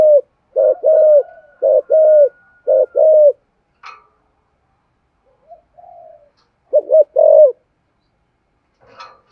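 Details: Spotted dove calling to lure birds: three phrases of soft, hollow coos, each a short note followed by a longer drawn-out one, a pause, then a fourth phrase; faint clicks between.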